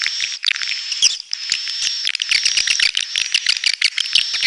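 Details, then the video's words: Red-nest swiftlets twittering continuously: overlapping shrill chirps and rasping trills over a sustained high whistle-like tone, busy and unbroken. "SUARA BURUNG WALET - Royal Wellness WALET SARANG MERAH"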